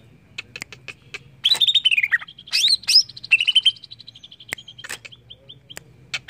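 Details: Greater green leafbird song used as a lure to trigger singing: scattered sharp ticks, then a loud burst of descending whistled notes, an upswept whistle, and a short buzzy run of repeated notes before more ticks.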